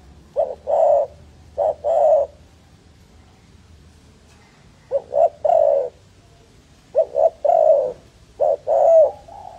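A dove gives three phrases of low, soft coos, each a quick note followed by longer hooting notes, spaced a few seconds apart over a faint low hum.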